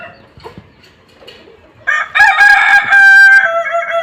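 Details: Loud, sustained, ringing crow from a Kokok Balenggek rooster during sunning, starting after quiet background sounds and holding a strong, level tone to the end.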